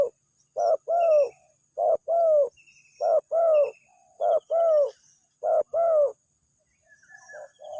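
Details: Spotted dove used as a lure bird to draw a response from other doves; paired low coos, a short note then a longer hollow one, repeated about every 1.2 seconds, with faint high chirps of other birds behind.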